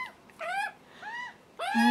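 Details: Hungry juvenile Australian magpies calling for food, adult male nearby: three drawn-out harsh, arching screams in two seconds, rich in overtones, the last one loudest.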